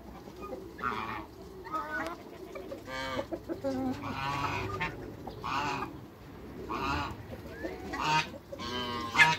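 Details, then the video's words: Six African and Toulouse geese on a farm, heard when first meeting new geese: loud, nasal, harmonic honks in bursts of about one second, repeated irregularly from several birds, with quieter clucking and shuffling noises underneath. "MEETING SIX GEESE AFRICAN & TOULOUSE GEESE"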